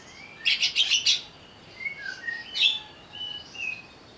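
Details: Greater green leafbird singing in an agitated state opens with a loud, harsh stuttering burst of about five pulses, followed by softer, clear whistled notes at varying pitches.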